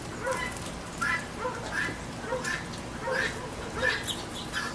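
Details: Guinea hen at a backyard feeder in the rain, squawking steadily: harsh, nasal calls with a strong upper tone, repeated roughly every 0.7 seconds over a constant hiss of rain.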